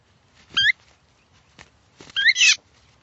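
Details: Phainopepla, a silky-flycatcher of the Sonoran Desert: two short calls about 1.5 seconds apart, each a quick rising, slurred whistle with bright upper overtones, the second longer and fuller, in a quiet background.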